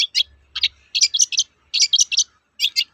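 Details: Long-tailed shrike toet-toet call, a typical sound used to stir other shrikes to sing: clustered harsh buzzy notes in quick groups of two to four, clean background.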